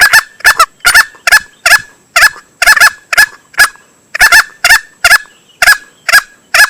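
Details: Male green junglefowl lure call used for hunting: loud, short, harsh calls repeated roughly twice a second in irregular bursts, with clean silence between them.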